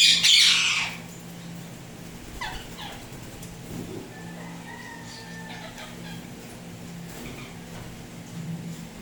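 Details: Tame pet Indian ringneck parrot, turquoise blue or turquoise blue harlequin colour, gives one loud harsh screech at the start, then only faint scattered sounds and low background hum.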